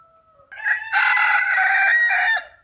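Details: Crowing rooster: a short rising note, then a loud, strained, sustained cock-a-doodle-doo of about one and a half seconds that fades at the end.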